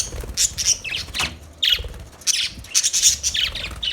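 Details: Budgerigars chirping: bursts of high, scratchy chirps and squawks in quick clusters, several overlapping, with brief pauses between groups.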